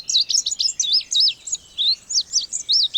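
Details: High-pitched Indigo bunting phrases: crisp slurred chirps in quick pairs and runs, evenly spaced across three seconds with no other sounds.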